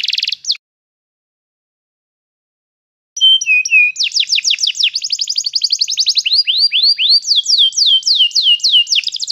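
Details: Canary song used to train another canary to sing: a short buzzy burst, a pause of about two and a half seconds, then fast high trills and repeated downward-sweeping whistled notes, with rapid rolling phrases near the end.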